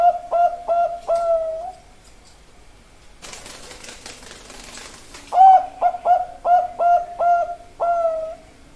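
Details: Bangkok-type zebra dove (perkutut) cooing in quick series, short soft notes ending in a longer held coo; a burst of rustling noise interrupts midway, then the rapid coo sequence resumes and closes with another drawn-out note.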